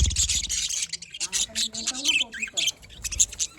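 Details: Budgerigars chatter in the morning in busy, scratchy bursts of quick high chirps and warbles that overlap one another; a low voice-like sound is heard faintly too.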